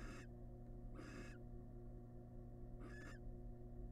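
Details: Inside a wild barn owl nest box, the male delivering a large rat to his family: three short, rasping hiss bursts with gaps between them, over a constant low hum.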